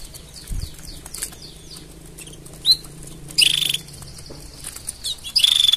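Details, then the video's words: Canary mating sounds: soft high chirps and a single upward note lead into two short, buzzy, rattling trills near the end, with a faint low hum throughout. "Tone Up Your Canary's Singing with These Mating Sounds!"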